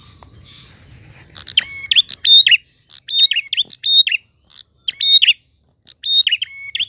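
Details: A prinia sings continuously in a clear voice: loud, sharp chirping phrases of clipped, rattling notes, repeated in quick bursts about every second, with a faint rustle at the start.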